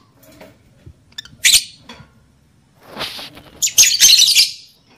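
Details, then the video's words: Lovebird calls intended to trigger breeding condition: a sharp shrill burst early on, a softer hissing stretch, then a longer harsh screeching burst near the end. "SUARA PANCINGAN UNTUK MENAIKAN BIRAHI EMOSI JANTAN DAN JEBOL BIRAHI LOVEBIRD BETINA"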